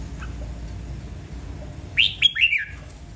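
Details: One bright, quick red-whiskered bulbul phrase: three or four sharply rising-and-falling whistled notes run together, preceded by a quiet faint chirp, with low background hum.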